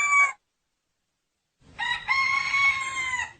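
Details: Rooster crow, clipped fragment at the start, silence, then a long bright sustained crow with strong high harmonics over faint low background rumble.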